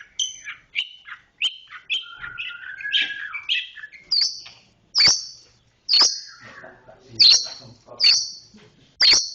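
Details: Long-tailed shrike, locally cendet, singing 'roll speed rapat': a varied twittering, warbling phrase with squeaky mimicry-like notes, then loud sharp high chips spaced about a second apart.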